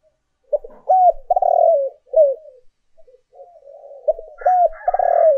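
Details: Spotted dove lure coos, urging and calling: two loud phrases, each with a hooked rising note and a long raspy coo, separated by softer notes, with a faint higher chirping in the background toward the end.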